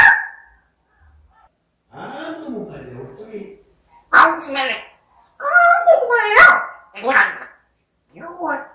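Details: African grey parrot uttering a series of word-like phrases, with low hums, voiced syllables with wavering pitch and a few sharper bursts, spaced across several seconds.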